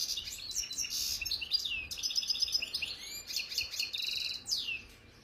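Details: Khalwi-style song of a kept European goldfinch from Algeria: continuous high, tinkling twitters mixed with harsh buzzes and swift rising slurs, barely pausing.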